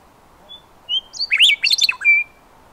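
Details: Western meadowlark (Sturnella neglecta), song.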